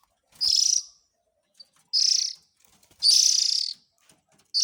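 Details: Oriental magpie-robin chick calling, used as a lure for adults. Drawn-out, pulsing, hoarse hisses come at uneven gaps, and the third is the longest and loudest. Small ticks sound in between.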